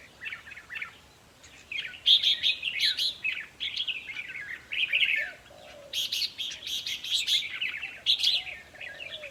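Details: Red-whiskered bulbuls in a decoy-trapping setup, song aimed at rousing caged birds: dense, chattering whistled phrases with crisp clicks, loud bursts separated by brief pauses.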